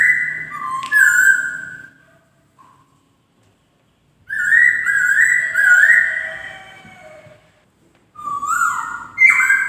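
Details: Singing poksay (white-crested laughingthrush) with loud, ringing whistled phrases that step up and down in pitch, a sharp upward note near the start, and silent gaps between bursts.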